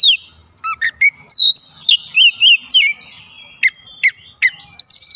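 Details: Oriental magpie-robin (kacer) in full song with isian fill-in phrases while other kacer join in; clear whistled notes rising and falling, rapid downslurred chips and wavering high whistles in a varied sequence.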